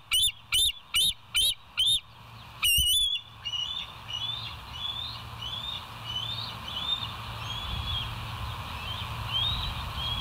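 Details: Bald eagle on the West End nest camera, 20 July 2023 at 05:04; five loud, high whistled notes, a harsher burst, then a softer, quicker series of thin rising-and-falling chirps over steady hiss.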